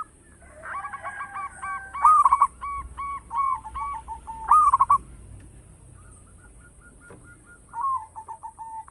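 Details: Local zebra dove in full, loud song suited for luring other birds: a rapid stuttering burst of mid-pitched coos, then spaced series of short, clipped cooing notes with brief pauses, a final run near the end; a steady high electronic whine persists throughout.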